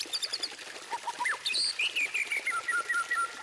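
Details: White-rumped shama song used as a training lure to get other birds singing: a few low whistles rise into a loud upward note, then a run of clear, evenly spaced whistled notes slowly falling in pitch, over a faint hiss.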